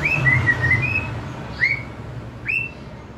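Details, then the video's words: White-rumped shama for young wild-caught birds: a short warbled phrase of linked whistles, then two separate upswept whistled notes about a second apart, over a low hum. "Memancing murai batu MUDA HUTAN dan LEPAS TROTOL agar GACOR NGEPLONG"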